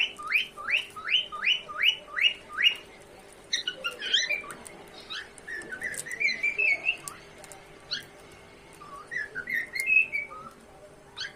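A cockatiel gives a quick run of rising whistles, then warbling, chattering chirps.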